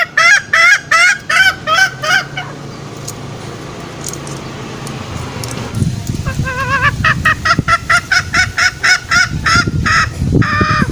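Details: Green junglefowl lure sound for trapping males in forest: a burst of rhythmic nasal honks, a pause filled with low background rumble, then fainter rapid honks building again toward the end.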